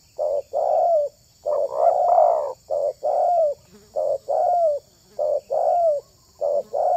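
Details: Tekukur (spotted dove) calling, in the setting of luring other doves: a steady, rhythmic run of paired mellow coos, short then longer, repeated almost every second.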